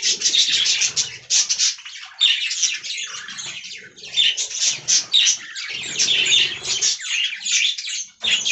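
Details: Colony budgerigars kept in an aviary give loud, rapid warbling chatter in dense bursts of chirps and squawks, separated by brief gaps, with light background rustling.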